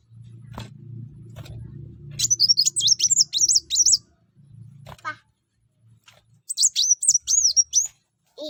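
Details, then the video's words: Kuwul (kolibri wulung or mucang) sunbird in energetic song, used to get other birds singing: two bursts of rapid, very high, twittering notes, the first about two seconds long, the second about a second and a half, over a low hum. "kuwul atau kolibri wulung/mucang gacor. buat burung lain pasti ikut gacor"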